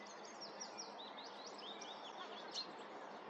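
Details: Thin, high, whistled notes of a common sandpiper tumble in quick overlapping runs at Lurgies, Montrose Basin, over a steady rush of wind or water.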